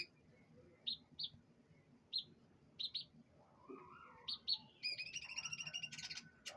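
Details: Morning-airing canary gives spaced paired chirps, then a soft wavering whistle, building at the end into a dense rapid trill.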